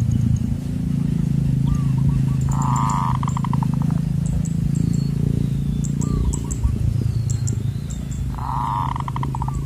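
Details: Zebra dove, or perkutut, in a wild-bird luring session with a perch and an MP3 lure, Koong voice style; short trilled cooing phrases recur several times, some loud and buzzy, over steady heavy low engine-like rumble.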